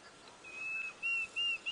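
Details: A small Diederik cuckoo, a summer migrant, gives high, clear whistled notes about three a second on a hot afternoon safari drive in South Africa's Djuma area, 19 January 2017, then flies off; quiet outdoor background.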